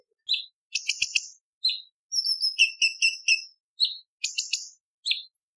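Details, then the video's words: Cucak cungkok bulbul song used as a training recording for contest birds, with sharp bursts of high whistled and chirping notes in quick clusters separated by short pauses, some phrases rapidly repeated; no other sounds. "Cucak Cungkok Istimewa ~ Isian Tembakan Variasi Kasaran Tajam Pedas Kasar"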